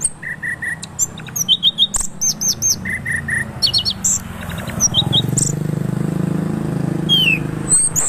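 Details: Orange-headed thrush in energetic 'gacor ngeroll' song: varied rapid phrases of repeated chips in sets of three, mid-pitched triplets alternating with very high whistles and sweeping slurs, over a low steady mechanical hum.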